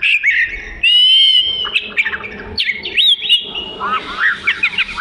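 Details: Loud, close song of an Oriental magpie-robin, a black-and-white bird with a long tail: a held whistled note, then twisting slurred phrases and quick chirps leading into a rapid jumble of notes.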